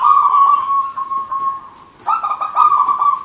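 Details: Local zebra dove singing manggung-style as a lure: a long, level coo fades out, then a fresh stuttering burst starts another held coo.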